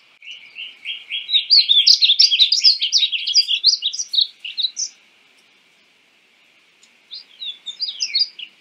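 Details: Painted bunting of North America giving a lively warbled song: rapid tumbling high chirps building in loudness over four seconds, silence, then a softer second phrase of sweet notes.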